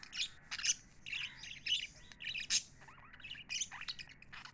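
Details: Several happy pet lovebirds chatter in quick bursts, bright sharp chirps and brief squawky notes tumbling over one another, about every half second, with low steady background hum.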